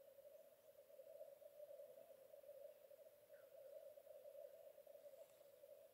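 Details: Black grouse (Lyrurus tetrix) bubbling in a steady, low, cooing lek chorus with a faint higher note from another bird, on a raised-bog lek in Vargavidderna reserve, Tiveden, Sweden, early morning, 25 April 2022.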